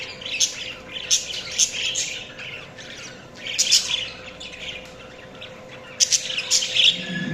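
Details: Groups of budgies break into clusters of high, sharp chirps and twitters, separated by quieter pauses, over a faint steady hum.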